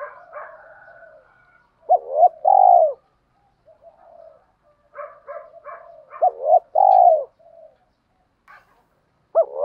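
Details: Spotted doves, male and female, cooing to prompt caged birds to coo in training. Two-part mellow coos stand out among scattered softer higher chatter and faint murmuring notes.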